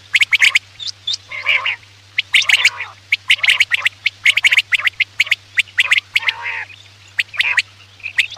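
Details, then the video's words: Quail lure sound for night hunting: an almost continuous run of sharp clicks, chirps and harsh buzzy downward notes, with short whistles and a low background hum. "Batair ki awaz raat k liye|batair ki awaz shikar k liye"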